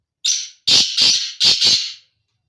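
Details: A male black francolin (kala teetar) utters its breeding call: a raspy lead note, then two quick pairs of loud, grating, buzzy notes over about two seconds, with a clean, quiet background.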